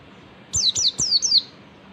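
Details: Oriental white-eye singing in the ngalas style, a lure recording meant to draw a response from any white-eye: four quick, high, whistled notes, each sliding sharply downward, in a brief run.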